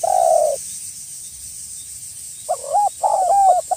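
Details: Spotted dove luring call aimed at a rival. One long, steady low coo, a two-second silence, then a burst of short rolling coos with rising and falling inflection; continuous high hiss behind.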